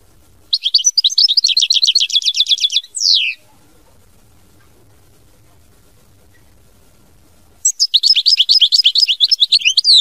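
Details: European goldfinch singing a song in the style named 'mama binette': rapid, high, chattering trills of repeated buzzy notes in two bursts, the first about two seconds long ending in a falling note, then a long quiet gap before a second burst.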